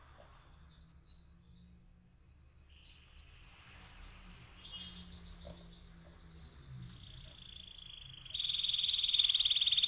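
A canary sings a long run of high, fast rolling trills and repeated chirps that shift from phrase to phrase, ending in a loud, rapid buzzy roll.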